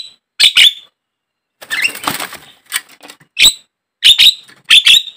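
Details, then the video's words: Javan myna sounds meant to trigger singing in caged mynas: sharp harsh squawks in pairs, a noisy scratchy chatter in the middle, then more rasping double notes. "pancingan, pikat burung jalak kebo, mustahil kalau tidak ikut gacor burung jalak anda"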